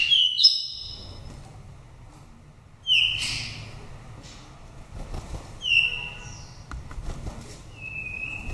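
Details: Wild-voiced oriental magpie-robin from Daklak, Vietnam, five seasons old, sung as a lure to rouse birds or trap them in the forest. Sparse, sharp, descending whistled notes come every few seconds over faint low background noise.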